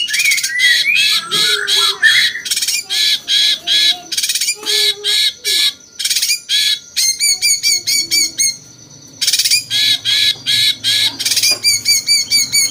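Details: Cucak cungkok bulbul delivering a jenggot-flavoured master song for training champion birds; long series of harsh rapid bursts, about two per second, with brief rising whistled flourishes and a short pause near the end.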